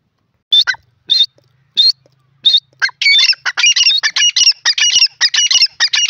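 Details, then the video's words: Male grey francolin calling: four separate high, sharp notes spaced about half a second apart, then a rapid run of loud, squeaky, repeated phrases with barely a pause between them. No other sounds. "dakhni teetar male teetar ki awaz"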